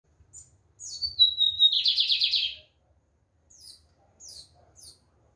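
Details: Lined seedeater singing strongly: high whistled notes slide down into a dense, buzzy trill lasting about a second, followed by a few short, thin chirps.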